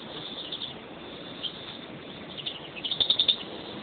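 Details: European greenfinch, one of a kept pair, gives a quick run of about six rapid high chirps near the end after scattered faint notes, with constant background hiss.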